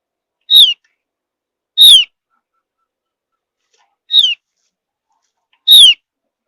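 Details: Javan grey-throated white-eye of high mountain forest, singing to prompt other birds to sing along: four short, sharp whistled notes, each sliding downward, spaced irregularly about one to two seconds apart against a silent background.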